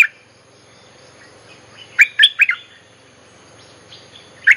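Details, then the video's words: Bulbul song used as a lure for wild birds, a teaching tune for young birds: a faint note at the start, a cluster of three quick bright chirps around two seconds, then a final sharp chirp, with quiet hum between. "เพลงหัดลูกเสอ ใช้เรียกนกป่า Suara pikat merbah lekir gacor"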